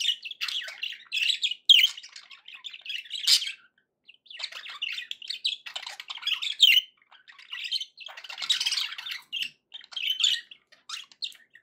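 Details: Budgerigars warbling, offered as company to encourage a pet parrot to eat and sing: dense chattering bursts of scratchy chirps and short whistled notes, broken by brief pauses of a second or so.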